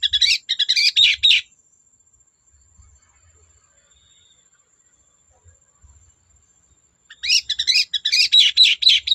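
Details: Long-tailed shrike singing to stir other shrikes into song: a dense burst of scratchy chattering notes, then several seconds of near silence, then another rapid chattering outburst.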